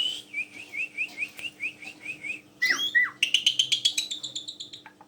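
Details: Black-collared starling, a tame bird used to lure other birds into singing loudly, gives a string of short rising whistles about four a second, then a loud sweeping downslurred whistle and a rapid series of sharp high notes.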